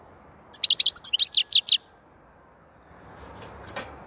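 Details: European goldfinch singing: a quick burst of bright, tinkling twitters and trills high in pitch, about a dozen rapid notes in just over a second, followed by quiet and one last short chirp.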